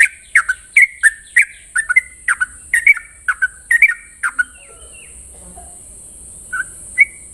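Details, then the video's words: Morning song of a sooty-headed bulbul in the fast 'ropel' style: a burst of quick bubbly whistled note pairs for about four seconds, then near quiet with two or three last notes, over a faint constant high hiss. "Ropelan trucukan gacor terbaik penuh emosi pagi hari"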